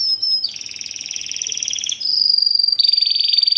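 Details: Timbrado Español canary from 2013, fast and metallic, delivering classic timbrado rolls: a slow-pulsed low roll for about one and a half seconds, then brighter higher metallic trills with sharp rapid beats.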